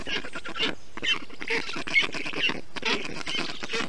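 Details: Black stork chicks at an Estonian nest on 20 June 2021, cooled by a parent during heat; hoarse rasping calls in uneven bursts, a short pause near the first second, then continuous rhythmic chatter.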